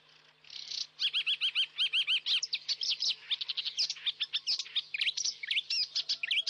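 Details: Saker falcon chicks at a webcam-watched nest in Hungary, 11 May 2012, give rapid runs of high, sharply rising chirps, several per second, breaking into a busier, overlapping chatter.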